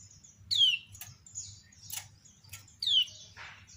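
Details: Female lemon-bellied white-eye (kecial kuning) calling while other birds answer. Two sharp, high whistles slide downward, with short thin chirps between them and a faint low hum underneath.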